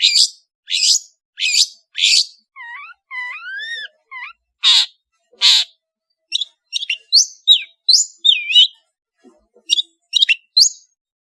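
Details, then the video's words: Long-tailed shrike from Madura giving full-variation song: four harsh rasps, soft wavering whistled slides, two more rasps, then a rapid mix of sharp chips and twisting whistled notes. "SUARA burung CENDET GACOR master full variasi | ASLI cendet MADURA GACOR DOR"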